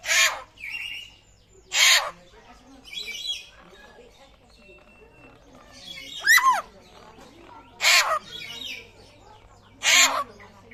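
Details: A rare Papuan butcherbird with a raptor-like voice alternates harsh broadband calls with softer buzzy notes and one clear whistle that rises then falls steeply.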